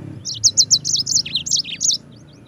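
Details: A short, bright phrase of a yellow-fronted canary, serving as a tutor recording for white-eyes: about a dozen loud, high chirps in quick succession, some dipping lower mid-phrase, then quiet.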